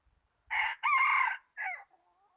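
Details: A decoy red junglefowl used to lure wild birds into traps crows once, 26 January 2019: a brief harsh note, a longer steady middle note, then a short falling end note. Faint soft taps come before it.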